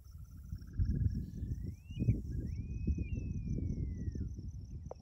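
Upland sandpiper giving its wolf-whistle call: a low bubbling trill climbing into two long, drawn-out whistles that rise and slowly fall, over steady wind rumble and a thin insect hum.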